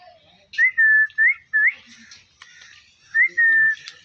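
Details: Three pet parrots together, giving clear whistled notes that rise and then hold steady, in a pattern of short-long-short, a pause with soft chatter, then a rising note followed by a long held tone.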